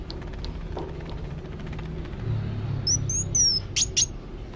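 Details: Van Hasselt's sunbird in active song: after a quiet start, a short run of high thin whistles slides downward, followed by two sharp bright chips, over low background rumble.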